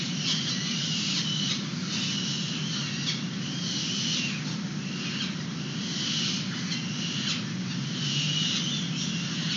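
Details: Young peregrine falcons fed by an adult outside their nest box in San Francisco, webcam recording from 29 April 2021; scratchy, high-pitched wailing calls burst out in irregular runs against constant low urban traffic noise.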